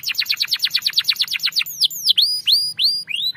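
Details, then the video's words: Canary singing a long rolling ngerol song used to coax a silent canary into singing: a fast run of rapid downslurred notes, then slower, clear whistled upslurs repeated about every half second. "Pancingan kenari macet bunyi ngerol panjang"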